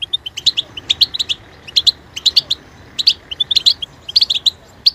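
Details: Goldfinch singing rhythmic clusters of bright, buzzy chirps and twitters, repeated with brief gaps between groups.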